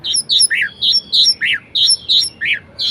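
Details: Orange-headed thrush in varied song, kept as a caged bird: a steady run of rounded high notes alternating with lower down-slurred chevron notes, roughly three per second, bright and rhythmic in a small room.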